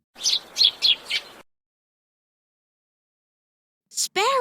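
A sparrow gives four quick, bright chirps in just over a second, then falls silent; a voice speaks briefly at the end.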